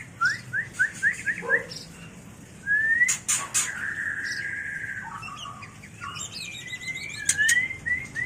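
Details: White-rumped shama mating song for training and luring birds: a quick series of repeated short whistles, then a long steady whistle, then fast trilled and rising notes with clicks.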